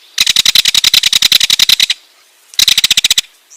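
A ringed kingfisher gives a loud, harsh, rattling call: a fast run of about twenty dry clicks, then after a pause a shorter burst of ten.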